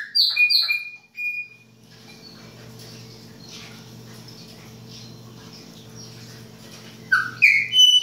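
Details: Chopi blackbird, baianinho song style, winter: a few piercing whistled notes open, then several seconds of low droning hum, before more clear slurred whistles close the passage.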